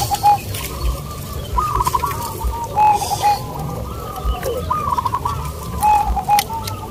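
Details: Local zebra doves competing at a contest in Bukit Mengger, Bantul, Yogyakarta; repeated cooing phrases of short stuttered notes ending in clear tones, several birds overlapping, with loud bumps and crowd voices.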